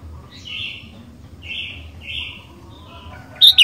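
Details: Sooty-headed bulbul song, used as a lure to prompt other bulbuls to sing: three short, mellow, blurred phrases spaced about a second apart, then a sudden louder, sharp note at the end over a quiet background.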